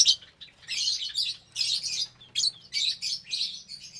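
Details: Meal time in a cage of some 25 lovebirds, breeding pairs raising chicks, January 2023; rapid loud squeaky chattering in rolling bursts about every half second, several birds at once.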